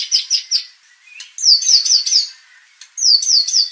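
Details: White-rumped shama song meant to provoke aggression and train the fighting spirit of contest birds: short phrases of repeated clear downslurred whistles, three or four per phrase, separated by brief pauses, with a faint click between.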